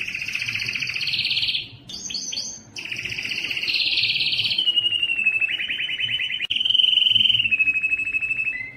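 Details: Canary of the Belgian breed singing to bring hens into breeding condition, with broad rolling trills broken by a short twittering burst, followed by quicker pulsed tours that step gradually lower.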